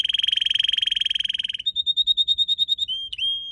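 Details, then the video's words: A red canary in a garden with purple azaleas delivers a rapid buzzy trill for over a second, then a slower pulsed trill and a short sliding note into a steady tone. "Red Canary Singing"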